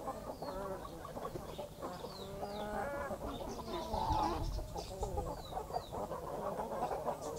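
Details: Backyard country hen with chicks in the morning: dense, repeated harmonic clucks overlap throughout, with short, thin, high peeps from the chicks scattered on top and a steady low background rumble.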